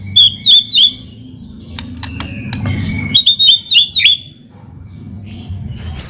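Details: White-rumped shama song as a lure: quick trios of bright high whistles separated by clicks and a low whistle, ending with a couple of high sweeping notes.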